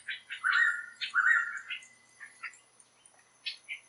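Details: Blue Pitta (Hydrornis cyaneus) typical call, recorded in Tat Mok National Park, Thailand: two drawn-out, slightly rising whistled notes of about half a second each, then a few shorter, softer notes against a quiet forest background.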